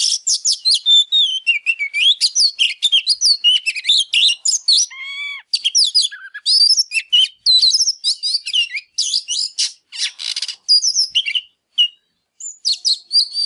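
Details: Oriental magpie-robin pouring out fired-up ('căng lửa') song while displaying, meant to stir silent birds to sing: a long continuous stream of varied sweet whistles, rapid trills, slurred notes and harsh buzzy bursts.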